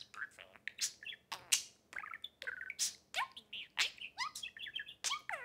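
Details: Two male pet budgerigars, a 3-year-old green and a 4-month-old blue, both talkers, playing on a table indoors; quick chirps, warbles and rising whistled notes tumble in an unbroken, varied chatter.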